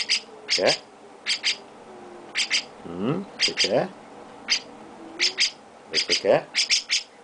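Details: Young chestnut-cheeked starling being shown affection, giving paired rasping squawks at uneven intervals while a person talks and coos to it.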